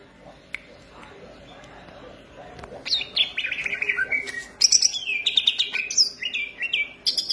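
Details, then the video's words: Green leafbird singing vigorously: after a quiet start, a rapid jumble of bright, slurred whistles and chattering notes, many sliding downward, runs through the second half. "cucak ijo gacor manteb banget"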